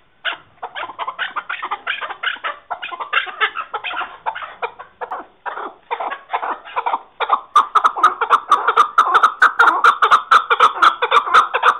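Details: Chukar partridge calls: a long series of dry, clipped chuck notes, then a denser, more ringing stretch of repeated calls punctuated by sharp clicking sounds over the last four seconds.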